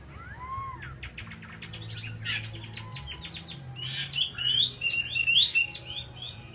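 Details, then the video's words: Caged hwamei singing, one of two birds kept side by side: a few curved whistles, then a rattling series of harsh clicks, ending in bright, sharp whistled notes over steady low humming. "Họa mi"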